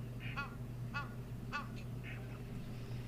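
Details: Egyptian goose calling, recorded on a live wildlife stream on 17 October 2022. Several hoarse, harmonic calls are spaced about half a second apart over a steady low hum, with a few brief higher bird notes between them.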